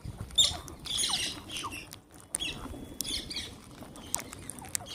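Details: Wild green parrots calling while being fed: short harsh, noisy squawk bursts in quick clusters near the start and again around the middle, over a steady background patter and rustling.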